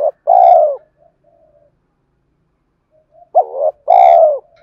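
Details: Spotted dove decoy cooing to provoke fighting and to call a mate, used to stir a stubborn wild-caught bird into cooing. Two loud, low cooing phrases, each a short rising note and then a longer mellow coo, separated by quiet gaps.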